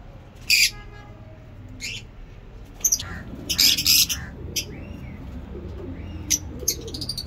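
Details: Caged lovebirds kept for breeding give sharp, high, scratchy chirps and squawks in short bursts scattered through the clip, with quiet gaps and faint low room hum between calls.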